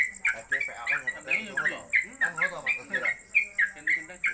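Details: A newcomer Yellow-vented Bulbul (trucuk) in a cage on a gantangan pole, singing its fast continuous 'konslet kemedol' phrase: a steady run of around fourteen warbled, slightly buzzy chirps, with soft lower murmuring underneath.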